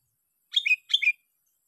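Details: Sooty-headed bulbul, a lure-caught bird in a sixth-day contest, sings two matching short phrases a quarter second apart. Each is a sharp high note falling to a fuller whistled slur, and the background is quiet.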